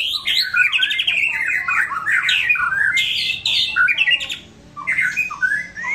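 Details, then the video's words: White-rumped shama singing in a relaxed style: a continuous jumble of rich warbled and chattering phrases, loud and varied, with a brief quieter pause near the end. "Murai Batu SH bunyi santai"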